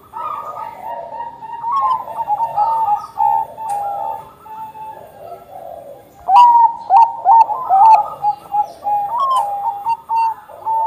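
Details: Perkutut bangkok, or zebra dove, singing as a lure for other doves. Drawn-out gentle coos give way after six seconds to a lively run of short, pulsing whistled notes, about two per second.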